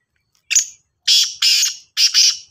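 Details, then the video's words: Black francolin calling in harsh, grating bursts: one short note, then two paired rasping phrases, each pair about half a second long, in silence. "Kala Sindhi Teetar ki Awaz | black Francolin Voice"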